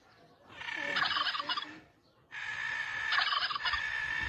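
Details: Turkey gobbling as if trying to compete: two loud, rapid, rattling gobble bursts, each about a second long, separated by a short pause, with a dense warbling texture.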